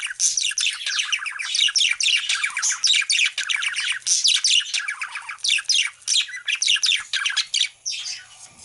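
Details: Flock of Australian parrots giving steady, high, chattering chirps, overlapping short notes repeated rapidly throughout with brief dips between bursts.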